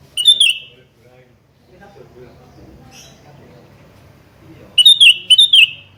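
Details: Sooty-headed bulbul calling to challenge a rival: a short burst of bubbly, liquid notes at the start, then a longer run of three or four quick chirping notes near the end, over a low background hum.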